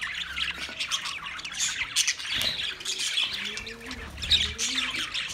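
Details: A crowd of budgerigars in a master cage on 9 March 2024 chattering nonstop: rapid high squeaks and warbles, plus a few soft lower tones sliding upward in the background.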